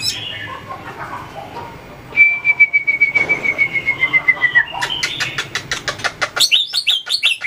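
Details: White-rumped shama in song training for competition: a long, pure, slowly falling whistle over soft background, followed by rapid clicking series and high chattering notes.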